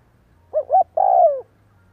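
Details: Decoy-training coo from a spotted dove: a short note, a quick upward hoot, then one extended soft coo trailing downward, over a faint steady low hum.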